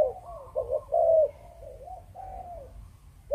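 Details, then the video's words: Spotted dove, Malaysian breeding line, cooing in the Chụp Chụp Ô style. It gives one loud burry phrase, a quick pair of notes and a drawn coo, followed by softer sliding coos from a second, quieter dove. "Chim Cu Gáy | Chụp Chụp Ô"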